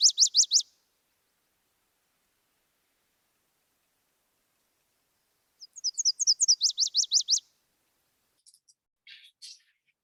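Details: Nashville Warbler summer song in southwest Idaho: high, slurred couplets in a quick series, then a faster run of notes.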